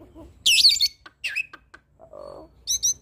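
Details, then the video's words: Hybrid starling song for tutoring other songbirds: a loud high twittering burst, a few harsh clicks and notes, a short nasal buzzy phrase, then two sharp high chirps, with quiet gaps between. "Jalak Silangan gacor Full Isian Pas Untuk Masteran Jalak Suren dan Burung Kicau lainnya"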